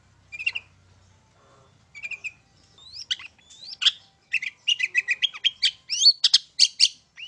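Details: Song of a long-tailed shrike, 'main satu titik' style, used as a lure to provoke singing: starts with sparse chirps and short whistles, building into a dense, fast stream of scratchy notes and sharp upward slurs.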